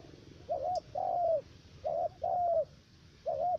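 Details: Spotted dove used as a decoy to trap wild doves in U Minh, Cà Mau: clear coo pairs, a short quavering note then an extended falling coo, repeated steadily, with a faint tick in the background.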